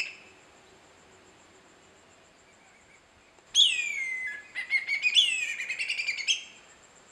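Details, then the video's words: A Whistling Kite calling out to his mates: a loud, clear whistle dropping in pitch, then a quick run of rising staccato notes, over quiet background. "hawk calling"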